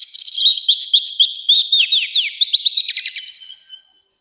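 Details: Continuous loud song from an orange-headed thrush, used for training and provoking birds. Repeated upswept whistled notes roll on and then break into a rapid, rattling series of short high notes.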